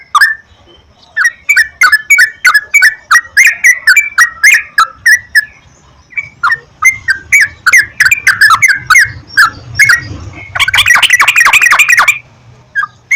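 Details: Yellow-vented bulbul singing on a lure track to encourage regular song: a long run of liquid, gurgling notes, a brief pause, then a dense, excited chattering flurry near the end.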